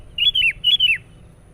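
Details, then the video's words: Sooty-headed bulbul singing as a lure for wild birds: two clear, loud whistled phrases, each rising briefly and then sliding downward in a rolling, liquid tone, with quiet between them. "SUARA BURUNG KUTILANG PIKAT GACOR NGOTOT"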